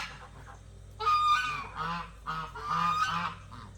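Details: Domestic geese honking in their pen while being fed and watered: a sequence of four loud, trumpeting honks in quick succession after a soft start, nasal and rich in overtones.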